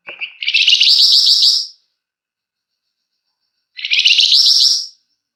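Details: Dense song of a flamboyan bird, recorded as a lure. A rising run of notes leads into a rapid, buzzy chatter, then a similar phrase follows after a pause.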